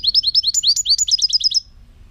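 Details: European goldfinch, 2018: a lively, nearly two-second run of about eighteen high, upslurred twittering notes, steady then quickening into a brisk trill before stopping.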